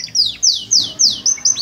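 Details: Canary singing: a fast series of clear, high whistled notes, each sweeping downward, repeated about every quarter second in a lively run.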